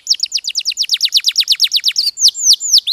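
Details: Posture canary, a domestic breed kept by people, singing a rapid run of high downslurred notes, about seven a second, then slower, drawn-out sweeping whistles.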